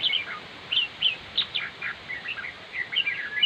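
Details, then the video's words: Red-whiskered bulbul singing: short bright chirpy phrases, rising and falling, repeated about every third of a second over a soft steady hiss. "chim chào mào diab kuam lauj quaj zoo heev"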